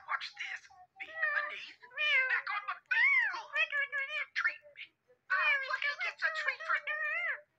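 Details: Friendly pet talking parrot chattering in imitated speech, with bursts of quick wavering vocal syllables rising and falling in pitch, separated by short silences.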